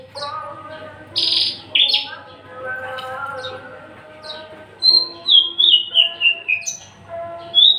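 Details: Unringed, tame but aggressive captive Javan bush lark, a male in full song, delivers a harsh buzzy burst followed by a string of clear descending whistled notes, rapid and varied, against a constant low droning background.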